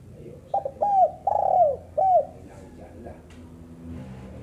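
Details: Female spotted dove cooing once. A quick double note, a curving coo, a long buzzy drawn note falling away and a final short coo follow in about two seconds. Then comes quiet background murmur.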